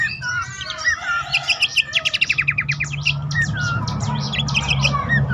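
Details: Lure call of Abbott's babbler, meant to prompt stressed or silent caged birds into song. Quick ticking trills and sharp chips tumble together, with faint slurred whistles early and a low rumbling hum throughout.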